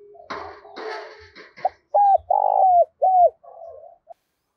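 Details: Spotted dove cooing to stimulate other doves into calling: rustling and clattering noises at first, then three strong, low, hollow coos, the middle one drawn out, ending in a softer coo.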